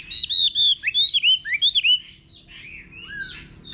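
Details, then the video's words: Chinese hwamei in a rural garden delivering a loud burst of rich, rapid whistled phrases with looping notes, then trailing off into softer slurred whistles. "Nghe Chim Họa Mi Hót"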